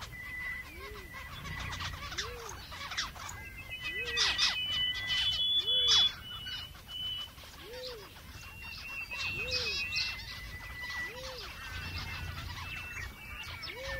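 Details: Australian zebra finch, also called chestnut-eared finch (Taeniopygia castanotis), gives nasal, toy-trumpet calls about once a second amid high chirping birds.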